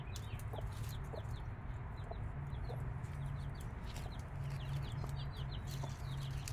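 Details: Five-day-old chicks with their mother hen: a steady stream of thin, high, downslurred peeps from several chicks, with a few soft, low clucks beneath and a constant low hum throughout.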